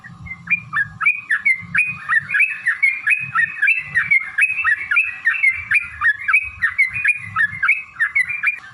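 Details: Yellow-vented bulbul in a long fighting song used as a lure to make other bulbuls sing: quick, bubbly, rising-and-falling whistled phrases repeated rapidly without pause, with low background rumble.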